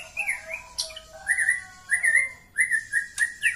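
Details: Call of a female white-rumped shama meant to stir male courtship: drawn-out clear whistles, some steady and some wavering, repeated about once a second, with a sharp click and faint hiss behind.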